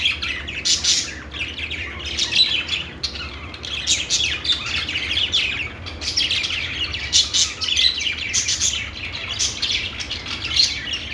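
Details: Budgerigar song: a steady stream of busy twittering, fast scratchy chirps and squeaky warbles, with loudness rising and falling throughout, faint low hum beneath.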